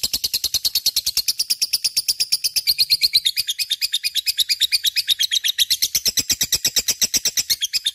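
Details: Lovebird singing energetically as a lure for other birds, a fast, steady train of sharp high chirps roughly three a second, with the pitch drifting up and down.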